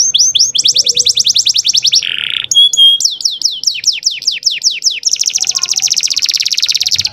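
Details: Canary song, described as full of varied phrases and as bringing female canaries into breeding condition and training young canaries. Fast high trills of rapidly repeated notes, a brief buzzy burst, a run of sharp descending whistled notes, then a dense rattling trill.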